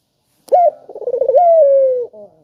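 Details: Single call of an actively calling spotted dove, offered as a lure to get other doves calling: a short bright note, a burst of rapid throaty pulses, then a smooth sustained coo sliding downward and ending with a brief soft tail.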